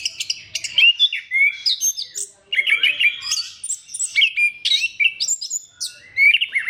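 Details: Orange-headed thrush singing continuously as a lure for other thrushes: dense, rapid phrases of bright whistles, trills and chirps, with a brief gap before another long, varied stream of notes.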